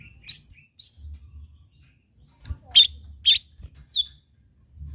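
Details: Lesser green leafbird, rural songbird, giving two rising whistled notes, then sharp harsh chattering bursts repeated about every half second, ending in a descending whistle; quiet low rumble.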